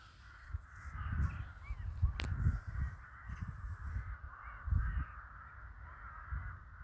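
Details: Many crows calling together in a winter village: a dense, unbroken mass of rough caws, some louder bursts standing out, set against heavy low-pitched rumble.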